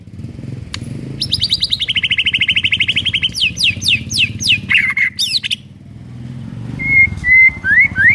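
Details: White-rumped shama (murai batu) morning lure song: a fast even trill, a series of sharp rising sweeps, then brief whistled notes, with a motorbike or traffic drone underneath.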